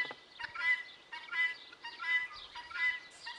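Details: Guineafowl calling in a steady rhythm: loud, grating, buzzy notes, each a rough two-part burst, repeated about every 0.7 seconds, five in a row.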